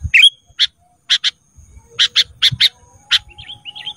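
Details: Sooty-headed bulbul, from a training track for caged birds: a whistled note, then a series of evenly spaced sharp chips, often paired, ending in soft warbled whistles.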